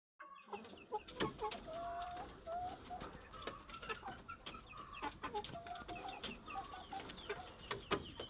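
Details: Plump chickens clucking in short, low, slightly wavering notes, with many sharp knocking and tapping clicks scattered throughout the clip.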